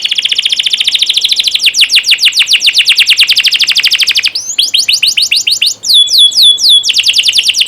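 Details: Canary training song for young birds: a rapid buzzy trill of descending notes, then a break into slower spaced downslurs and a brief pure whistled phrase before the fast trill resumes.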